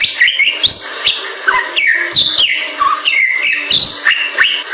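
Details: Singing Bali myna, a species found only in the western forests of Bali, producing loud upslurred and downslurred whistles separated by crisp clicks, phrases following each other closely.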